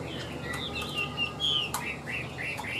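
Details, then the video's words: Caged, hand-tamed Chinese hwamei singing steadily: a run of short clear whistled notes and slurred phrases, some rising and falling, with faint room noise and a brief click near the end. "Siêu mỏ ra giọng rất đều - Họa mi đẹp hót hay"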